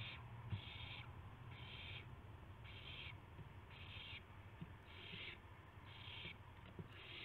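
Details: Owls at dawn, 26 March 2016, with gopher and mouse prey; steady series of harsh hissing bursts, roughly one per second, with occasional soft taps and a low droning background.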